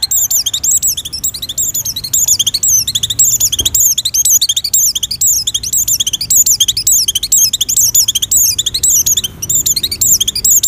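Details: An Oriental white-eye in breeding condition sings to lure other white-eyes. A steady, breathless run of very high, sweet, twisting chirps carries on without break over a quiet background.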